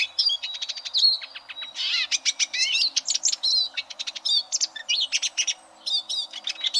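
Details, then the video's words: Eurasian siskin singing, played to train competition canaries: a fast, continuous twitter of varied chirps, trills and short whistles, some notes sliding up or down, with one short pause near the end. "Suara Burung Eurasian Siskin Untuk Masteran Kenari Lomba"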